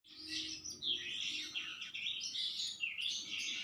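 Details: Sanma bird kept at home, described as steady-tempered and later moved to Jakarta in March 2021, singing constantly: a dense, continuous warble of sweeping, slurred whistles and chatter, loud and unbroken, over faint low background hum.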